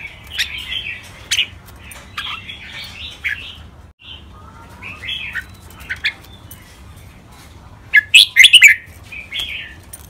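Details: Caged red-whiskered bulbuls in Thailand, two birds in training, singing the 'rik', 'bernl', 'lak wai', 'mae bot' and 'nap dok' styles: scattered soft chattering notes throughout, then a loud bright burst of several quick whistled notes near the end.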